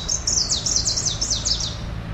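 A Greenish warbler sings a fast, very high jumble of slurred, downward-sweeping notes, about five quick phrases in two seconds, over a faint low hum.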